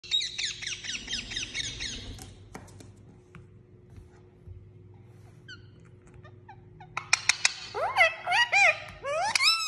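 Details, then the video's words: Pet parrot indoors. Rapid, warbling high chirps open, then near-quiet with a few thin notes. Loud whistled sweeps follow, rising then falling, with harsh squawky bursts. A steady low hum runs throughout. "Talking Pet Parrot"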